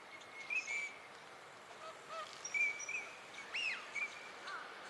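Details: Eurasian teal, a winter visitor, on a park pond in Chiba, Japan, in March 2025, giving short, ringing whistled 'krick' notes, some doubled, about six in five seconds, over a faint steady high hum.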